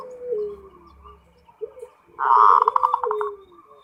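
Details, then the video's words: Zebra dove (perkutut lokal) giving ngerot song to spark breeding condition: a loud trilling burst of rapid coos in mid-clip, over a steady lower whistled tone and faint background murmur. "SUARA PERKUTUT FULL NGEROT BIKIN NAIK BIRAHI NAIK"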